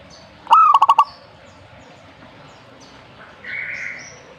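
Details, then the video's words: A single zebra dove phrase: a rising coo followed by five quick clipped pulses, then quiet, with a short breathy higher sound later. "burung perkutut"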